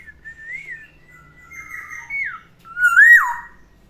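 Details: Captive black-naped oriole, a pet, singing in the morning: liquid fluty whistles gliding up and down, several short phrases with a louder rising-falling note near the end; quiet room.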